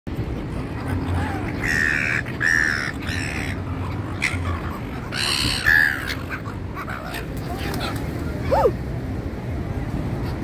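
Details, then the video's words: Flock of seagulls near a person having dinner outdoors, recorded 2-8-24: harsh, nasal calls in short bursts around two and five seconds, with a thin rising note near the end, over a steady low rumble and voices. "Flock of SeaGulls"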